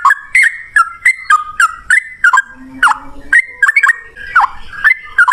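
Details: Yellow-vented bulbul singing in ropel ngalas style, played to prompt other birds to reply: quick slurred chirps in short bursts with uneven pauses, a faint low steady hum partway through.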